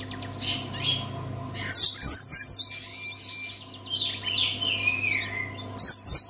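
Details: Oriental magpie-robin song intended to stimulate other magpie-robins to sing: scattered loud high chirps and whistled slurs between quieter, muffled twittering, with a low background hum.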